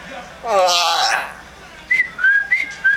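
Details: A pet common myna mimics its owner's yawn and cough: a drawn-out, yawn-like groan that rises then falls, followed by three short, clear whistles about half a second apart.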